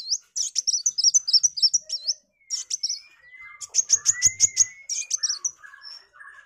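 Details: ['Sunbird song used to train caged songbirds. Rapid high twittering made of quick squeaky slurred notes, then a pause and a run of sharp ticks. A thin rising whistle and some lower buzzy notes follow.']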